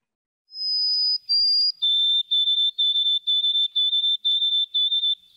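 White-throated Sparrow song: two clear, high, sustained whistles, then a lower whistled note repeated about eight times in a steady run, the familiar 'oh sweet Canada, Canada, Canada'.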